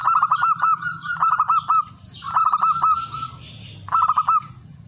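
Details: Male zebra dove calling a rival: bursts of rapid stuttering trilled notes, each phrase ending in a drawn coo, repeated about every second with low rumbling noise beneath.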